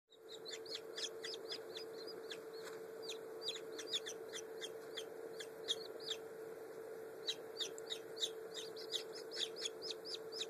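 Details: Black French Copper Marans chicks less than a day old, recorded 14 May 2011: a dense chorus of high, arched peeps from several chicks, overlapping rapidly throughout, over a steady low electrical hum.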